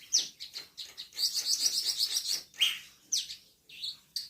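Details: Black-winged myna, 10 March 2025, singing energetically: sharp chirps, then a fast stuttering high chatter lasting over a second, followed by loud swooping squeaks.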